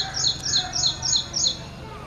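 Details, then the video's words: An Ashy prinia (Ashy Wren-Warbler, Prinia socialis) sings a quick, even series of about six high, sharp, slurred notes, roughly four each second, over a faint low hum. "Ashy prinia or Ashy Wren Warbler - Call,song"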